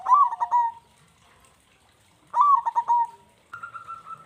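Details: Big-voiced local zebra dove in full song: two loud bursts of rapid stuttering coos about two seconds apart, each trailing into a drawn-out note, followed by a higher sustained cooing tone.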